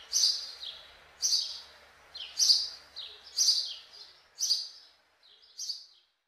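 House sparrow giving loud, harsh chirps, one roughly every second, bright and slightly buzzy, with faint background noise.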